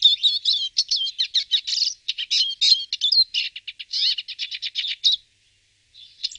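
A Eurasian siskin sings a fast, high twittering stream of chirps, trills and buzzy notes, pausing briefly near the end before starting again.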